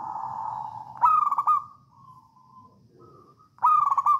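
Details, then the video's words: Local wild-type Javanese zebra dove singing in the 'songgo ratu' style, used as a lure to make other doves sing: a steady low hum, then two bursts of rapid stuttering trilled coos separated by a soft sustained note, with faint low rumble behind. "Perkutut lokal alam gacor songgo ratu"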